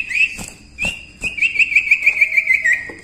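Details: Common Iora in lively song for training other songbirds: a few separate whistles, then a rapid trill-like string of about ten upslurred whistled notes, with soft clicks.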